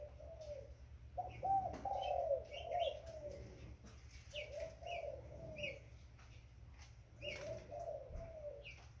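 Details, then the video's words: Mellow coos from a young spotted dove come in three main bursts, the first the loudest, with brief high twittering notes and clicks in the background. "Burung tekukur Muda"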